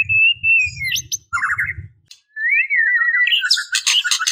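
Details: Calling female white-rumped shama seeking males. Drawn-out whistles glide down and then rise, mixed with rapid warbled trills and ending in scratchy chatter. A low rumbling sound runs beneath the first two seconds.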